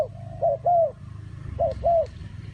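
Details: Two paired coos from a spotted dove, each a quick note followed by a smooth, longer hooting note, over a low background rumble.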